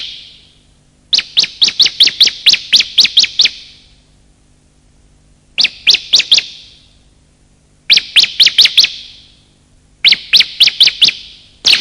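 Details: Bar-winged prinia lure calls from male and female, meant to make silent birds call and attract wild birds: bursts of eight to ten crisp, high, evenly spaced chirps, separated by quiet gaps of about two seconds.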